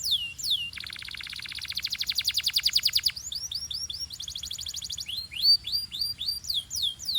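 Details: Belgian canary giving a long, fast, rhythmic trill that swells in loudness, followed by a shorter trill and quick swept whistled notes.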